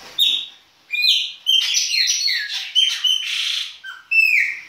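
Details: Chopi blackbird of the baianinho song style singing in winter: a rich, varied run of loud whistled and slurred notes with bright harmonics, phrases following one another closely after an opening pause.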